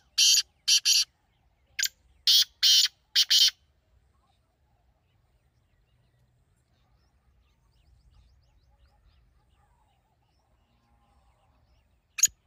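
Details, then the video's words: Harsh, rasping partridge call phrases open the recording: paired and single grating bursts repeated over about three seconds, then near silence with faint low rumble and one last sharp burst at the end. "تیتر کی ایسی آواز جو آپ نے پہلے کبھی نہیں سنی ہوگی"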